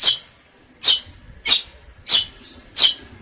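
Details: Long-tailed shrike: five harsh, scratchy, high-pitched notes, each short and broadband, repeated about every two-thirds of a second over three seconds against a quiet background.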